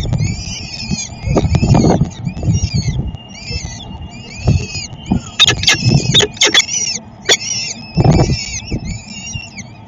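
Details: Peregrine falcons at a feeding in Szczecin, Poland, on 22 April 2021: steady series of short, arched, squealing notes in quick succession, with sharp clicks and low rumbling knocks among them.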